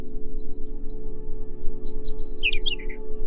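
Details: Whinchat singing a short phrase: a quick run of bright ticking notes that turns into descending chirps and twittering slurs, faint high notes before it, with a continuous low musical drone underneath throughout.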